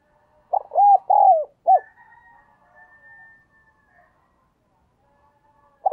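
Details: Decoy spotted dove calling to attract wild birds: one clear cooing phrase of a short note, two long arched coos and a brief closing coo, followed by faint soft murmurs and the start of another phrase.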